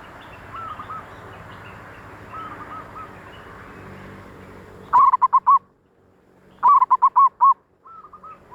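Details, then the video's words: Zebra dove used as a lure for wild birds: soft distant cooing gives way to two loud phrases of rapid, clipped rolling coos, then a softer trailing coo, over light background hiss. "suara perkutut paling ampuh utk pancingan perkutut liar"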